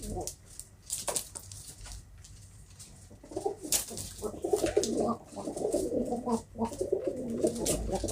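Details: Domestic pigeons in a fancier's loft, quiet start with clicks, then a long stretch of muffled low cooing building in loudness with rustling.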